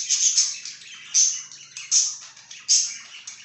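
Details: Budgie chirping rapidly, harsh warbling chatter with loud sharp squeaks repeating about every three quarters of a second.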